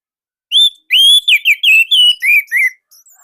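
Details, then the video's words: Indonesian orange-headed thrush giving a loud master song to draw singing from others: one clear whistle, a pause, then a quick sequence of about seven ringing, downslurred whistled phrases. "KICAUMANIA Anis Merah Indonesia //Masteran Paling Enak"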